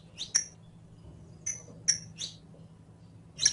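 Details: Saffron finch (Sicalis flaveola) in captivity singing for a training recording; sparse, isolated very high thin chirps about once a second, separated by quiet gaps over a steady low hum.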